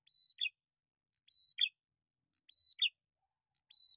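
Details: Male and female bar-winged prinias calling back and forth as a lure recording: a thin, level, high whistle followed immediately by a sharp buzzy chip, the pair of notes repeated about every 1.2 seconds, with no other sounds.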